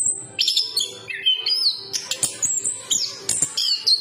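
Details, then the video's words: Singing chestnut-capped thrush delivering short bursts of piercing whistles, some rising and some dropping, roughly every half second, with crisp clicks and a faint low hum underneath. "Burung Anis kembang berkicau"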